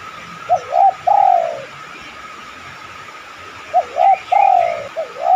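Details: Lure cooing of a spotted dove meant to draw replies from other doves: two short rising notes and a drawn-out descending coo, then the phrase again after a pause, over a constant faint hum.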